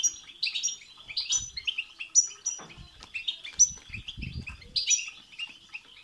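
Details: European goldfinch song of the batbata and satsata types, meant to excite another goldfinch into singing: rapid twittering, tinkling high notes and buzzy chirps in dense runs, with soft low thumps near the middle.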